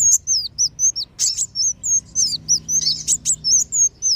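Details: Sunbird lure sound for kolibri wulung and sogon, used to make wild birds come down: a steady string of about thirteen thin, high, down-slurred whistled notes, roughly three per second, with a few sharper chips mixed in.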